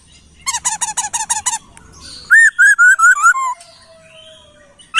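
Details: Laughingthrush song used to tutor songbirds: a rapid series of about ten bright hooked notes, then six loud arched whistles in even succession, fading into a long thin whistle.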